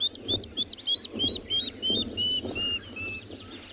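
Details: A water thick-knee calls at a watering hole in Phinda Private Game Reserve, South Africa, on the morning of 3 September 2021: about a dozen thin piping whistles slowly falling and slowing, over a low engine-like rumble.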